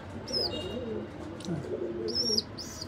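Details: Nabta pigeons with newly hatched babies: soft low cooing murmurs run through the clip, with brief high chirpy notes near the start and toward the end.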